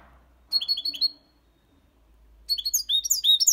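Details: European goldfinch, a six-month-old bird singing the Malaga copy style with clean motifs of colios, complaints and ornaments; two bursts of high, rapid twittering and liquid trills, the second longer and denser, separated by a brief pause.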